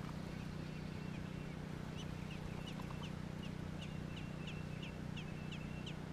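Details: Young American robins in Georgia start after a brief pause, then give quick, evenly repeated high chirps with thin drawn-out notes between them, over a low steady hum.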